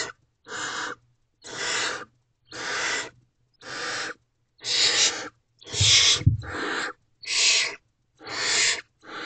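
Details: Owlet barn owl begging from an adult in a nest box around 1:00 am, May 2023: a run of raspy, hissing screech bursts roughly once a second, with a brief low thump midway.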